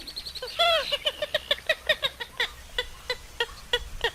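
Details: Purple gallinule in an unedited recording: one loud drawn-out nasal note followed by a rapid string of short clucking notes, slowing gradually, with a low background hum.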